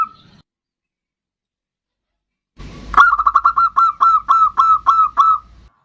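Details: Actively singing bodronoyo zebra dove, used to lure other birds into song: after a moment of quiet and a faint rustle, a single run of about a dozen rapid, clipped cooing notes.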